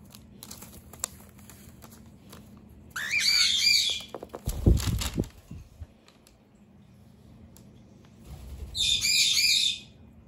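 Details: A pet cockatiel fights a human raiding its base, letting out two long hissing, buzzy screeches several seconds apart, with a dull thump and rustling between them.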